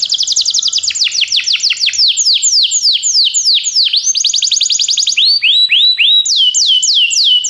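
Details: Belgian canary song, used to get other canaries singing, delivered as an unbroken stream of quick, high, down-slurred whistled notes, several per second, changing pace and pitch partway through and ending in rising-then-falling phrases.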